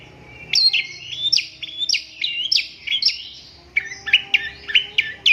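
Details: Long-tailed shrike song of repeated sweeping notes, each a sharp high stroke dropping into a short buzzy tail, delivered in a rhythmic series with a short pause midway.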